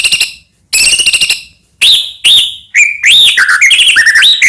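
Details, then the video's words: White-rumped shama song, a Medan-type bird, played to provoke other shamas into singing: buzzy harsh bursts followed by loud rising-falling whistles and a rapid run of varied chirping notes. "murai batu gacor AMPUH buat PANCINGAN murai batu agar bunyi"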